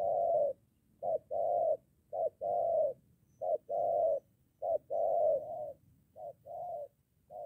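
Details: Spotted dove, a moulting decoy bird, met near home; soft low cooing in repeated short-long pairs of notes, roughly one pair every second, with faint low background rumble.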